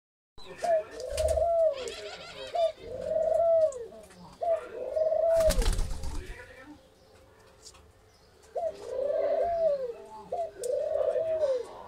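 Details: Soft, low, arched coos from Australian doves on a farm in Feni come in quick bursts of about two seconds, with faint chirps and a few thumps in the background.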